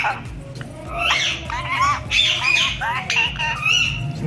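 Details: Pet ring-necked parakeet in Pakistan talking in Urdu/Hindi, repeating names; short warbled, speech-like harmonic phrases and squawks mixed with a person talking to it, over a steady indoor hum.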